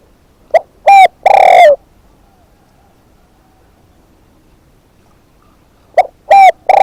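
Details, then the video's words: Spotted dove kept as a decoy bird, giving a loud, distorted phrase of two short low coos and a longer rolling coo, then a silent pause before the phrase starts again near the end. "เสียงนกเขาใหญ่ นกต่อ"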